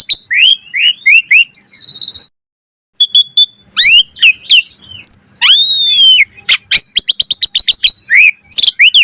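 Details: Asian pied starling master song for training: quick upslurred whistles, a buzzy trill, a brief pause, then long sweeping whistles and a fast series of repeated sharp notes.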